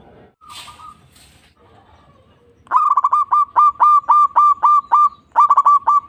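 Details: Zebra dove song meant to stimulate other doves to sing: after faint scattered notes, loud clustered hooting phrases of two to four quick, bent notes repeat steadily, about three clusters a second, ending in a rapid stutter.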